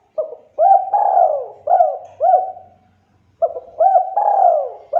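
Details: Spotted dove calling vigorously as a lure for other doves to respond, giving two full phrases of clipped rising-falling coos and a drawn-out descending purr, clean and close.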